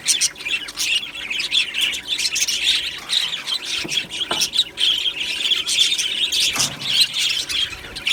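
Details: Many budgerigars in an aviary colony, 1 July 2025: lively chirps and squawky calls overlapping, a few lower sliding notes near the middle and end over steady high chatter.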